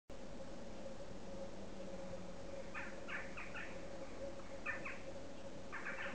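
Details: Western Jackdaw (Corvus monedula) giving short, sharp 'chack' calls in a quick burst of four, then a pair and a final one, over a steady low rumbling hum. Jackdaw.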